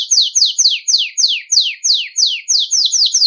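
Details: Belgian canary in nonstop 'campainha' (bell) song, used to warm up and train young canaries: a steady series of buzzy, steeply descending notes repeated about four times per second.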